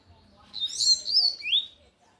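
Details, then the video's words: Double-collared seedeater in full Tui Tui song, singing forcefully: a short burst of bright, high whistled phrases with buzzy overtones, closing with a rising slurred note, then quiet. "Coleiro de gola Tui Tui cantando forte"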